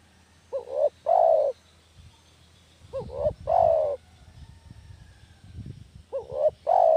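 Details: Cooing of a spotted dove, as used to lure doves for catching: three phrases about two and a half seconds apart, each a brief looping note then a sustained soft coo, with faint rustling and a low hum beneath.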